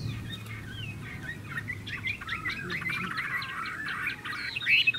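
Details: Chinese hwamei, a bird said to sing loudly and well, delivering a softer stream of twisting whistled notes and quick trills, ending in a brighter flourish, with a low background hum.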